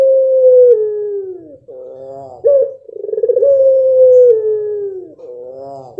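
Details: Pelung dove of the mottled blorok type singing its long drawn-out coo, a steady note sliding slowly downward for over a second, followed by nasal rising lead-in notes, a sharp accent and another long pulsing coo, repeated.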